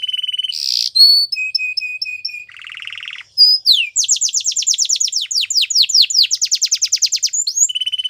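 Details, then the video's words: Canary training song: a flat whistled tone, a burst, a series of short evenly spaced pips, a low buzzy rattle, then a long rapid trill of downward-sweeping notes before a final whistle. "Canary's Most Powerful Song For Training"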